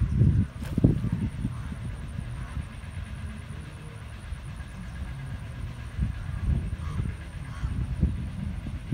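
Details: Low, continuous vehicle or train rumble with occasional knocks and a faint high whine, and no animal voices.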